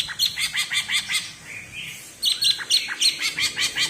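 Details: Characteristic bebeci song of a cucak ijo from Alas Purwo in Banyuwangi: rapid rhythmic chirps repeated about five times a second, a brief pause with a soft note, then another lively chirping series.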